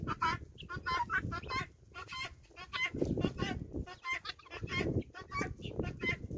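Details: Farm guinea fowl flock following a hen: a steady stream of short, scratchy, repeated calls from many birds at once, with intermittent low rumbling noise beneath.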